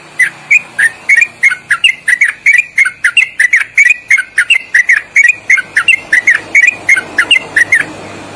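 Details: Long, loud 'ropelan' song of a sooty-headed bulbul, used for training birds, with fast melodic turns. Around thirty clipped whistled notes tumble out in quick clusters over eight seconds, each note slightly bent in pitch.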